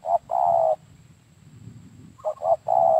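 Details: Spotted dove freshly caught near Dumai, Riau, Indonesia, during trapping with decoy birds, gives steady low coos in two bursts separated by a pause. A faint low rumble runs underneath.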